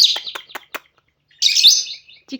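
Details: A female pet lovebird singing indoors gives a quick string of shrill, high chirps, then a longer scratchy warbled twitter before a last short squeak.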